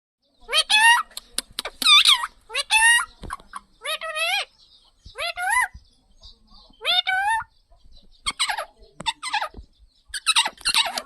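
A parrot gives a run of loud, harsh, rising-and-falling squawks, each about half a second long, spaced a second or two apart, with short clicks between.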